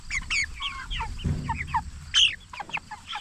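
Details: Jumbo Cornish Cross broilers, 44 days old and raised for meat, give clear high chirps and slurred peeps. One loud, sharp squawk rises above the flock partway through, with a soft low thump earlier.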